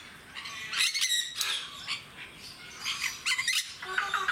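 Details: Jenday parakeets at Mysore Zoo: loud, grating double and triple squawks in short clusters, separated by lulls filled with fainter chattering from the caged flock.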